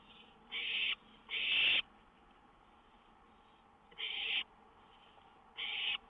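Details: Owl at a lookout around 1:06 a.m. on May 19, 2013, with a songbird nearby; two quick harsh hisses close together, a pause, then two more spaced about one and a half seconds apart.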